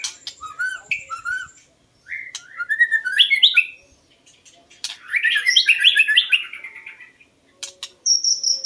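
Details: White-rumped shama song used to lure birds: rich run of whistled slurs and fast tumbling warbles, rising to a dense twittering flourish, then a high sharp note at the end; steady high tone early on.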